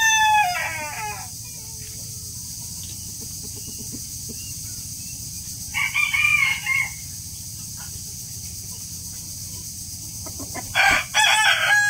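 A rooster crows three times, each a hoarse, ringing cock-a-doodle-doo about a second long, spaced roughly five seconds apart over a steady background hiss.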